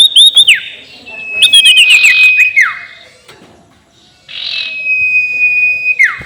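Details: Sirtu (ashy tailorbird) ngekek call as a provoking lure: quick looping high notes, a long flat whistle with hissy noise, falling slurs, and a second drawn whistle ending in a sharp downward sweep.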